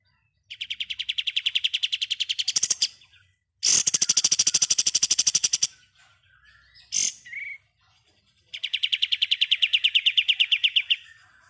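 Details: Ngebren-style song of a pied triller, a training recording for songbirds: long rapid trills of buzzy notes that swell in volume, a louder harsh rattling burst, a brief sharp note with a slurred whistle, then another long trill.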